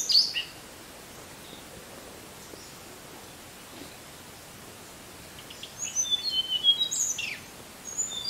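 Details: Tickell's blue flycatcher song: one sharp high note at the start, a quiet gap, then a quick run of thin, sweet, high notes sliding up and down for about two seconds, over soft background hiss.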